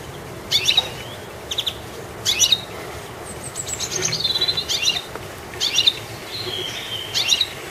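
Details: Goldfinch on a treetop: short bursts of bright, high chirps separated by pauses, plus a thin, drawn-out descending note near the middle, then more twittering clusters toward the end over quiet background hiss.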